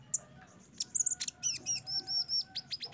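Sunbird song: quick, very high chirps followed by a run of thin, arched whistled notes repeated several times a second. No other clear sounds.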